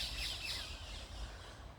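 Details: Parakeets give a few brief, high, shrill screeches at Kelsey Park, Beckenham, Greater London, among fallen leaves, partly masked by steady rain and low rumbling background noise.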